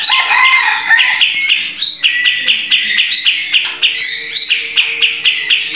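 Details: Caged sooty-headed bulbul, kept as a training bird for other cage birds, singing energetically: a loud, fast run of bright chirps and short whistled phrases, many notes sweeping up or down, packed closely with barely a pause.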